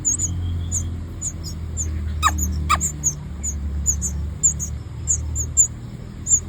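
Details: Baby birds in their nest begging for food at feeding time, giving high, thin, short chirps repeated rapidly and irregularly over a steady low hum, with two sharp clicks midway.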